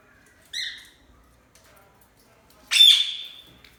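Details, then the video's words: A loud parrot gives a short harmonic chirp, then after a pause a harsh, broadband squawk that settles into a sustained high tone, in an otherwise quiet setting. "Loud parrot chirping sound| parrot calling sound"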